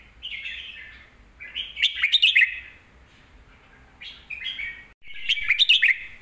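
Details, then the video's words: Song of a caged Red-whiskered bulbul used to teach young birds: short rising warbled phrases alternating with clusters of sharp, bright notes, repeated about three times with brief pauses. "นกเสียงทอง วางเพลงใต้เสียงโตๆ(ไว้สอนลูกนก)"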